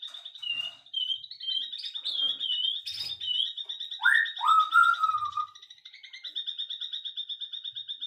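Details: Afternoon bird singing: two loud whistled phrases that jump up sharply then glide down, set against a constant rapid pulsing buzz and a few faint chirps.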